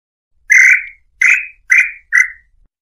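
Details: Nambu pé roxo, the tataupa tinamou, singing to draw in a male or female: four strong whistled notes, each with a trailing tail, the gaps between them shortening slightly, with nothing else audible.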